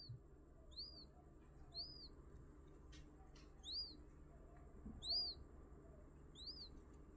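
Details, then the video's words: Newly hatched quail chick peeping: bright, arched high chirps, each rising then falling, given in loose series about once a second with short gaps, over a faint low steady hum. "the original voice of the newly hatched quail"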